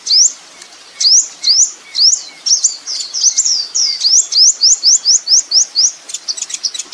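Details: Sunbird (kolibri ninja) on a training master for chattering songbirds: very high, thin upslurred whistles, first spaced about half a second apart, then tumbling into a rapid, even run of a dozen rising notes.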